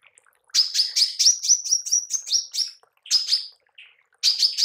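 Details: Female manggar bird giving a call meant for training songbirds: bright, high chirps in quick succession, slightly buzzy, delivered in three short bursts with brief gaps and a soft low note between them.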